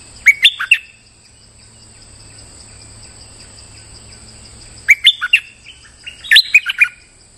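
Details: Bulbul, likely a streaked bulbul (merbah lekir), still calling normally while moulting, gives short, bubbly, liquid phrases in three bursts several seconds apart over a steady high-pitched electronic whine; used as a lure call.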